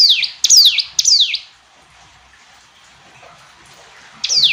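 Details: Three quick, shrill, falling notes from a hill prinia, a long quiet stretch with low background hiss, then one more note at the end.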